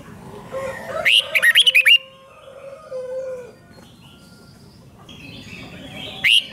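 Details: Red-whiskered bulbul singing, used to excite caged birds: a fast phrase of quick, looping whistles, preceded by a low sustained tone. Scattered faint chirps follow, then a short loud whistle at the end.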